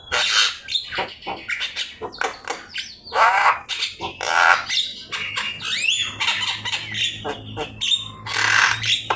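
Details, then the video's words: Javan myna giving loud raspy squawks and chatter on a training master for singing birds, with occasional whistled slurs and a steady low hum beneath. "Suara jalak kebo gacor"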